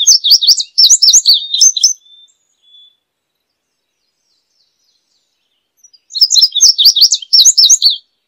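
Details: Two indigo bunting songs, each roughly two seconds of sharp, paired, up-and-down whistled notes, with a quiet gap of several seconds between them.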